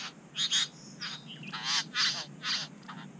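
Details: At a bower in NSW, Australia, wild Satin Bowerbirds give a run of scratchy, wheezy bursts, some with wavering squeaks inside, about half a second apart against a quiet outdoor background.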